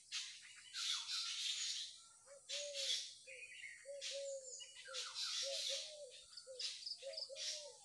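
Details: Birds calling in the morning: dense high chirping bursts layered over a repeated low, mellow two-part note sounding roughly every half second.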